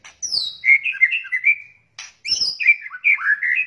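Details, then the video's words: White-rumped shama crackling lure calls, juvenile, male and female: a high falling whistle leads into a quick twittering warble, then a noisy rasp, another falling whistle and a second rapid warble. "SUARA PIKAT KRETEKAN MURAI BATU , TROTOL , JANTAN , BETINA GACOR"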